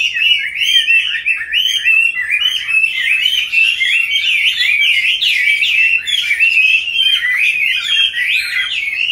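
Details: Chinese hwamei kept in a cage since young, now in its fifth year, delivering a long, strong run of bright, looping whistles and fast chattering phrases, barely pausing.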